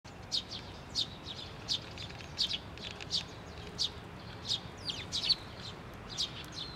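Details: Young bird calling from atop a post at a Tenmangu shrine on 16 May 2023 as a parent returns: sharp, high chirps repeated roughly every half second to second, a few doubled, over quiet background.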